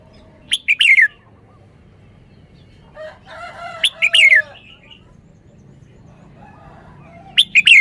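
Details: Red-whiskered bulbul showing off its song phrasing: short, bright, sweeping whistled phrases in three bursts spaced roughly three seconds apart, with a softer, lower harmonic call between them.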